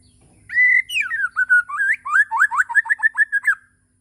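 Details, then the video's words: White-rumped shama from Borneo singing in the morning: a clear whistled note, then a fast run of rising and falling whistled phrases, loud and rapid, ending abruptly after about three seconds. "Kicauwan murai batu di pagi hari"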